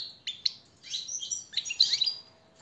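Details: Brief goldfinch tutor song for captive birds: two sharp chirps, then a liquid twittering phrase of quick high notes before falling quiet.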